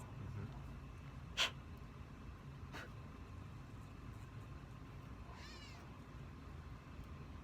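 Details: A Gray Catbird that has kept following the recording couple gives a single nasal, cat-like mew that slurs downward, over a steady low rumble with a couple of sharp clicks.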